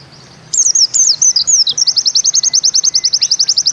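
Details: White-eye (pleci, Bustomi type) in 'nembak ziperrr' delivery: a few looping high slurred whistles leading straight into a quick, steady stutter of about twenty identical sharp notes.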